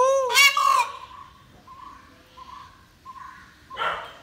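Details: Indian peafowl in an Indian village: a loud, harmonic, wailing cry rising then falling, followed by a series of short, soft, evenly spaced hoots and a second strong call at the end.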